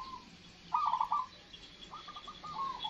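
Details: Crossbred and local zebra doves (perkutut) kept in the morning, with hills still under cloud, answering each other. Rolling trilled coos come in separate bursts, one loud and nearby, others softer from farther birds.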